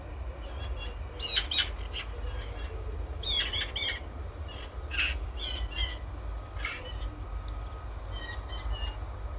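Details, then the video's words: A Eurasian magpie gives harsh, rattling chatter in short bursts every second or two, over a steady low rumble of wind or distant traffic. "Eurasian Magpie Call"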